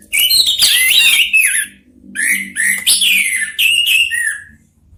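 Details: Three orange-headed thrushes in a singing exchange: dense, loud warbled phrases of clear whistles and high chatter, in three long bursts with brief dips between them.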